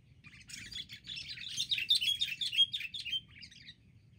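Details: Wild sooty-headed bulbuls mobbing as a group, a loud, continuous tangle of sharp chirps and squeaky whistled notes that rises in intensity and then fades out.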